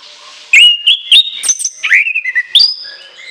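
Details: Orange-headed thrush pouring out a long filled shrill phrase of looping whistles, quick high strokes and a descending buzzy slur, closing on a pure high whistle.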